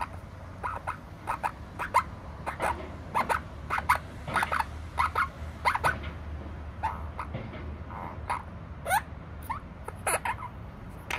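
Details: A kept opaline monk parakeet gives harsh, scratchy squawks and chattering bursts in uneven runs, about one and a half per second, over a low indoor hum.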